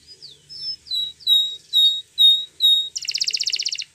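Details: Canary training song: a row of clear, down-slurred whistled notes about twice a second, followed by a dense rapid buzzy trill.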